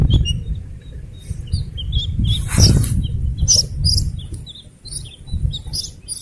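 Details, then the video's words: Slaty-legged crake chicks give thin, high, scattered, irregular peeps and chirps over a steady low rumble and handling noise. The recording is shared for luring adult crakes. "Suara anak Burung Sintar"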